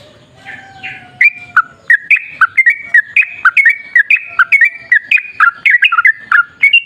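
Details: Sooty-headed bulbul giving wild-style 'ropel' song used as a lure: after a faint low drawn note, a rapid sequence of bright, jumping whistled notes follows.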